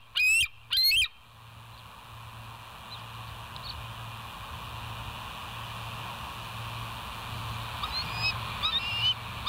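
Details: West End bald eagles recorded by a nest live cam on 08/06/2023 at 05:24: two sharp, piercing whistled chirps open the recording, followed by constant hum and faint, distant high notes toward the end.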